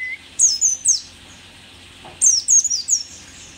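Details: Mountain white-eye known as pleci dakun, a rare Merapi endemic, singing keenly despite its age: two clusters of piercing, very high downslurred chirps, three then four notes, separated by a brief quiet gap.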